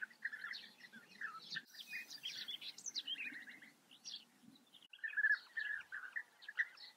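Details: Breeding colony of European bee-eaters in the Eifel, Germany, with many birds trading liquid, trilled calls in rapid overlapping bursts, a short lull near the middle before another loud cluster.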